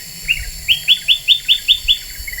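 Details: Black-winged bulbul lure call, described as very vocal: seven evenly spaced, crisp chirps, each sweeping up then down, repeated about every fifth of a second, ending with a softer lower note.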